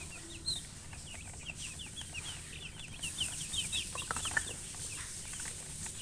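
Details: Flock of chicks, baby chickens, giving short high chirps that speed up into a busy run of quick downward-sliding peeps, with a hissing background.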